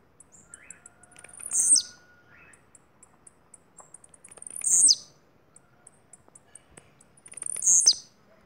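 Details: Bahian blue-black grassquit repeating its brief, sizzling, very high song phrase three times, each ending in a quick falling sweep, separated by pauses of about three seconds.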